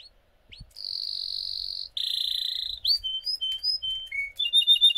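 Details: Russian singing canary performing a high, bright song: two long rolling trills of about a second each, then short clear whistled notes and rapid chirped phrases repeated in quick succession, with no other sounds.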